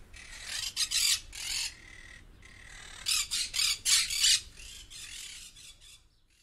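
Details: Parrot, known locally as popat or tota, uttering rough grating squawks in two clusters, a quieter run early then louder rapid bursts near the middle, with a faint background hum between calls.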